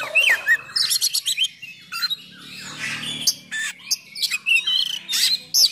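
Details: Oriental magpie-robin, a vigorous caged singer used as a training song, pours out a rapid, varied song of loud whistles, harsh rasping notes and chattering bursts, almost without pause, over a faint low hum.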